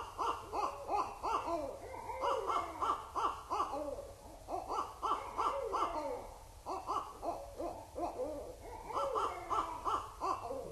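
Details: Barred Owls vocalizing at Indian Cave, autumn 2012, raccoons scurrying near the microphone: several owls in a raucous duet of rapid, arched hooting notes in dense bursts, pausing and resuming, with harsh cackling overlaps.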